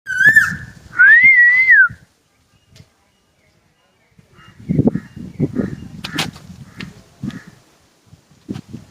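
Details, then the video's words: An Asian koel sings two loud whistled notes, the second swelling up and falling away, then falls silent while voices and rustling noise follow. "Asian koel sing"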